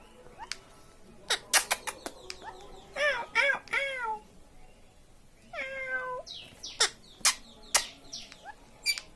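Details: Indian ringneck parakeet, a talking pet parrot indoors, giving arched, wavering meow-like calls alongside sharp clicks and short squeaks, with a person softly saying "baby" nearby.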